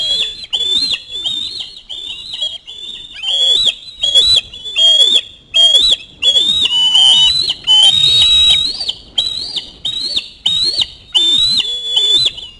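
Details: Fish delivery at an osprey nest, the chick screaming and chasing the parent for the fish; long series of shrill, whistled, slightly quavering screams, roughly one and a half per second, loud and continuous.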